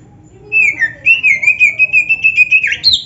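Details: Oriental magpie-robin performing 'gacor isian' song used to stir caged birds into answering. A sustained whistled warble wavers rapidly at a steady pitch, then jumps to a higher slurred note at the end.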